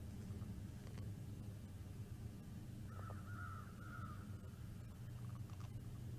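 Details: Bald eagle calling from a live-streamed nest camera on 09.12.2021 at 15:58: a short run of faint, wavering chittering notes midway through, set against a constant low electrical hum and rumble.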